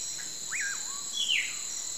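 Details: At sunset, a single pauraque whistle rises quickly, dips, and flattens into a lower tail. A sharp descending chirp from another bird follows over a steady high-pitched insect hum.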